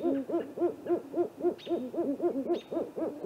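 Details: At night on April 21, a great horned owl pair calls during an extended visit to a great gray owl's snag tree nest; rapid arched hoots repeat roughly three to four times a second, steady and overlapping, with occasional high thin ticks.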